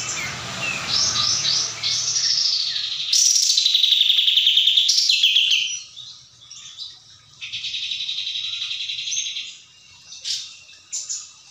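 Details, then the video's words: 'Tembak' style song of a sooty-headed bulbul: quick chipping notes, then a long sweeping whistled phrase, then a sustained rattling trill with short scattered chips after it. A low rumble is heard at the start. "SUARA BURUNG ! kapas tembak"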